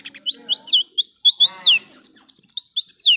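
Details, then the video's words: Oriental white-eye in ngalas song, a lure meant to get caged birds singing quickly: bright, high, twittering phrases of rising and falling whistled notes, running almost without a break, with faint low background sound. "Pancingan pleci bahan agar cepat bunyi ngalas"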